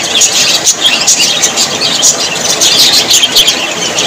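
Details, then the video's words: Budgerigars, said to be happy, twitter nonstop: shrill squeaks and quick warbled phrases overlap densely, with brief louder chirps every half second. "Australian parrots voice ☺️ Parrots very happy 😊"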